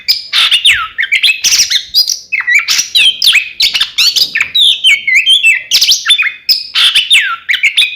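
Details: Oriental magpie-robin (kacer) in a 'kembar' lure recording meant to provoke opposing birds: continuous, dense medley of loud, swooping whistles, chirps and scratchy notes for the whole stretch.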